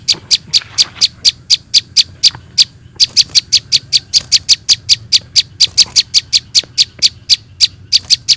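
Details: Lure recording of prinia chicks: a fast, insistent series of high, clicking chips, about four a second, pausing briefly before resuming even quicker.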